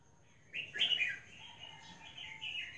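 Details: A female albino red-whiskered bulbul gives a short run of bright, slurred chirps, rising and falling between middle and high pitch, over about two seconds.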